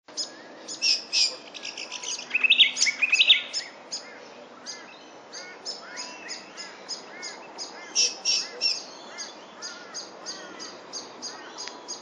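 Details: Brown honeyeater, recorded 21 July 2011, giving bright, rapid whistled and chipping notes, high-pitched and irregular, with a louder warbled burst early on; other small birds twitter faintly behind.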